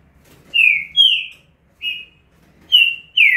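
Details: Sparse fast-style phrase from a green-winged saltator, a handful of bright whistled notes, two close together, then spaced single whistles with a faint low hum underneath.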